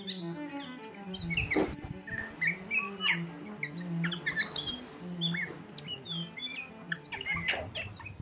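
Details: A blue whistling thrush in the central Himalayas sings its dawn song of varied, high, clear whistled notes in quick, irregular phrases, some rising and some falling, over steady background music.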